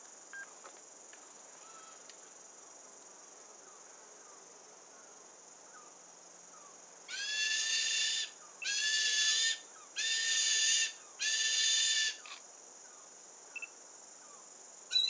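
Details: A New Zealand falcon in a tree near the coast of Endeavour Inlet, Marlborough Sounds, gives four loud, harsh, ringing screams, each about a second long, in quick succession, over a steady high insect drone.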